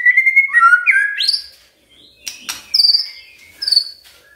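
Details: Magpie-robin song used to stimulate a quiet bird to sing: clear whistled notes near the start that slide up and down, then high thin whistles and sharp chips in short bursts.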